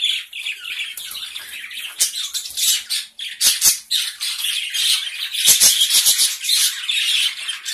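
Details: Small captive colony of gray Java sparrows, with a dense, continuous chatter of high chipping and squeaky notes from many birds at once and scattered sharp clicks and taps throughout.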